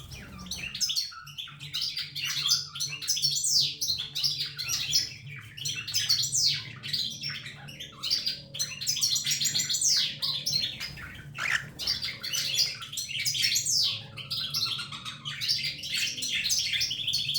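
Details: A yellow pet cockatiel chatters continuously with bright, rapid chirps and whistled notes.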